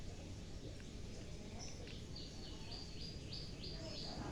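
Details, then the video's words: Prinia in an aviary, feeding on nectar: a run of about seven short, bright chirps, each dropping slightly in pitch, repeated rapidly in the second half over steady low background rumble. "Aviari prenjak makan nextar"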